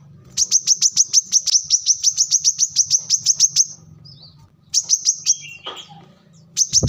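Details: Kolibri kelapa, the brown-throated sunbird, in lively song used for luring or tutoring birds: a long run of quick, piercing high notes, a short break, then fresh bursts, with a faint low hum beneath.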